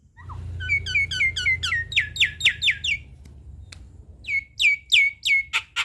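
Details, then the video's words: Black-winged starling in full song used to train young birds: a rising chain of clear, ringing notes repeated about four times per second, a short lull, then more loud bright notes over a low hum. "Jalak Kebo Gacor Full Isian Untuk Masteran Dan Paningan Burung Jalak Kebo Muda Hutan"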